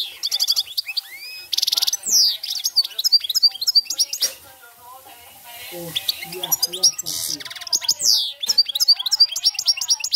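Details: Goldfinch in campero song style delivering sustained rapid twittering, short buzzy rattles and bright descending chirps, with a brief lull and soft low voices near the middle.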